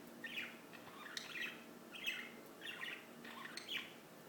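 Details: Birds give a series of five rich chirping bursts, close to one every second, over a steady low hum.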